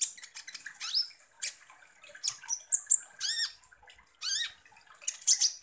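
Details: Kolibri ninja, or Van Hasselt's sunbird, singing as a lure to provoke konin birds: scratchy high chatter with two harsh, buzzy arched notes standing out, mixed with sharp squeaks and brief quiet gaps.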